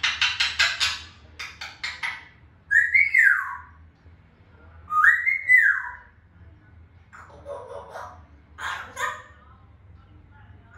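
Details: African grey parrot producing a rapid series of sharp clicks, then two loud slurred whistles that rise and fall like arches, followed by scattered softer chatter and clicking notes.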